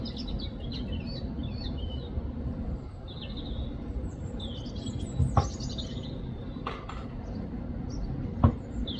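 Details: European robin song recorded in the UK: quick, high, tinkling phrases in the first half, then quieter, with a few sharp clicks and knocks later over constant low traffic-like rumble.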